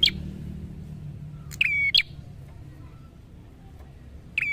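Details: Prinia in lively, persistent song: a sharp click, then a steady level whistle with a bright, higher flick at its end. The phrase returns about every second and a half over a low background hum.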